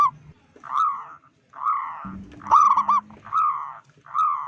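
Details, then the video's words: Local zebra dove calling to provoke rival zebra doves: evenly spaced rolling coo phrases about one per second, with one loud staccato burst in the middle and a faint low hum. "Perkutut lokal gacor suara besar - Panggilan perkutut Ampuh BIKIN PANIK perkutut lain"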